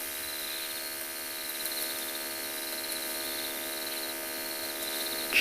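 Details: Steady electrical hum and hiss with a faint high whine; no animal calls.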